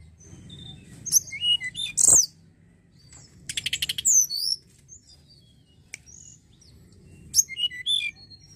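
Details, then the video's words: Snowy-browed flycatcher (mountain tledekan) song used to stimulate other birds to sing: very high, thin, squeaky phrases in three short bursts, the middle one a quick ticking run, with a faint low hum beneath. "Pancingan Ampuh burung tledekan Gunung"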